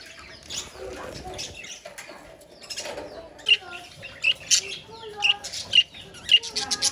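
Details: Parakeets in a colony: soft mixed chatter at first, then a series of sharp, bright chirps standing out roughly every half second over continuous twittering from the flock.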